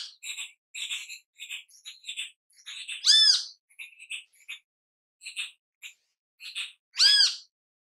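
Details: ['Great kiskadee in natural habitat: busy stream of scratchy chattering notes broken by two loud, harsh, arched squawks about four seconds apart.']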